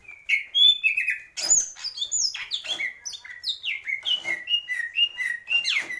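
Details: Varied song of a greater green leafbird: high squeaky notes and descending whistles follow each other rapidly, becoming a repeated pattern of short slurred phrases.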